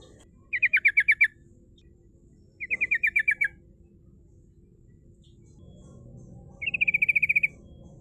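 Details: Rolling 'ngerol' song of a female sooty-headed bulbul, used to lure rivals: three fast, buzzy trill bursts of roughly eight notes, separated by pauses of about two seconds, with a faint low hum later on.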